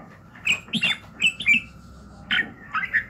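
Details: Red-whiskered bulbul singing in the morning, used for voice training: short warbled phrases in bursts with pauses, notes sliding around a mid-high pitch.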